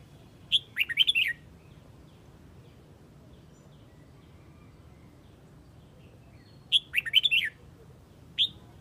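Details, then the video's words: Red-whiskered bulbul from Huế calling its flock: a quick burst of bright whistled notes around 0.5–1.3 s, then a matching burst near 6.7–7.5 s and a single note at 8.4 s, over a steady low background hum. "Chào mào Huế gọi bầy"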